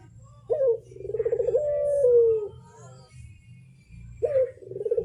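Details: Barbary dove cooing to set other doves calling: one long rolling coo with a drawn-out falling finish, then the start of the next, over a steady low hum.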